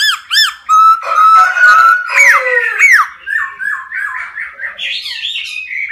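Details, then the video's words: Forest laughingthrush, a caged songbird, singing loudly: rich whistled phrases with long level notes, swooping slurs and rapid varied warbles, continuous and melodious with rich harmonics. "CHIM KHƯỚU RỪNG HÓT CỰC HAY"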